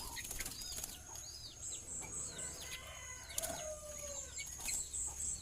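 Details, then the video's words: Tame, talkative sooty-headed bulbul singing: a run of clear, harmonic-rich whistled phrases, some level and some falling, mixed with short sharp chirps and upward flicks, over a constant high whine and low background hum. "Kicau burung kutilang jinak gacor"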